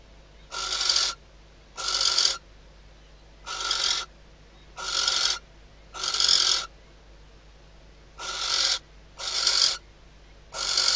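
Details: Barn owl female in a nest box in the Ebro Delta at night, calling to the male before mating, with the first chick due in days. Nine short, breathy hiss bursts come in two runs separated by a brief pause.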